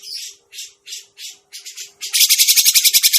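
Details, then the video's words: Grey-cheeked bulbul calls used to lure birds into traps: five spaced, husky squawking notes about every third of a second, then a sudden fast, high, harsh chattering run. "suara pikat burung cucak jenggot masteran burung cucak jenggot"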